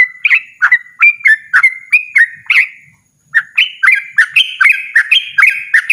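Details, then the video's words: Yellow-vented bulbul in rapid, persistent, loud song: quick chains of fluty rising-and-falling whistled notes, a brief pause midway, then the bubbling phrases resume faster and higher. "burung trucukan ropel ngotot suara lantang"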